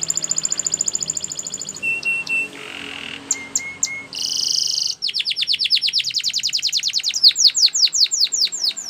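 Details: Spanish Timbrado canary song for training: quick repeated high notes, flat whistled tones and a low buzzy roll, then a long rapid series of descending sweeping notes repeated several times a second.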